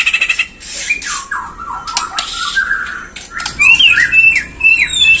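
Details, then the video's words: Bornean white-rumped shama lure song meant to stir other birds to sing and grow agitated: harsh clicks and falling slurred notes, then a string of loud, ringing whistles sweeping up and down. "Pancingan Murai Batu Agar Bunyi Dan Emosi ||👍 Murai Borneo | Rumped Shama | เสียงนกกางเขนดง"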